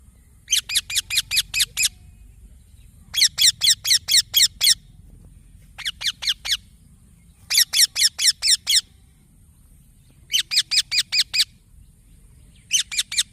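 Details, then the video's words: Baby green parrot chirping persistently in six bursts of rapid, scratchy, high calls, each burst about five to eight chirps long, with short pauses between. "Green Baby Parrot Chirping Sounds"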